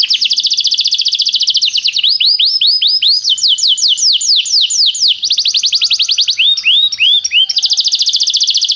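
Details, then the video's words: Canary song used as a training tutor, made of a string of trilled tours. Rapid buzzy rolls alternate with slower, looping downslurred whistles, and the note type changes every one to two seconds. "professor para o seu canto canário em breve - o melhor treinamento canário"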